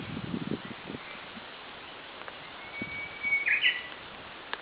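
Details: Japanese bush warbler heard on a rainy morning: after some low rustling, a drawn-out whistled note slides up into a bright, abrupt double-note phrase, with steady rain hiss throughout.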